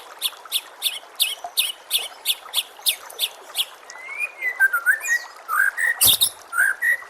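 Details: White-rumped shama song used as a tutor recording for training caged birds, set against nature sounds and trickling water: a run of repeated sharp chips, then clear rising and falling whistled phrases and a loud burst near the end.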